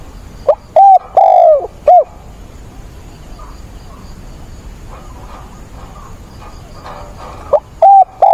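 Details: Decoy spotted dove cooing eagerly during a rainstorm on 28 October, meant to provoke wild doves; a low four-note cooing phrase with a long falling middle note, then a long pause before the phrase begins again.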